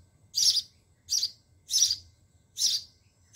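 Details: Sparrow nestlings in a garden nest box, fed by the mother: four loud, rasping high chirps spaced about 0.7 seconds apart, over a faint low hum.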